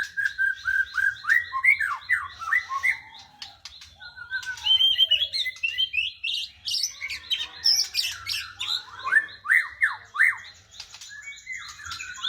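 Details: White-rumped shama pouring out a long, varied song of sharp downslurred whistles, chips and trills, phrases tumbling one after another with brief gaps.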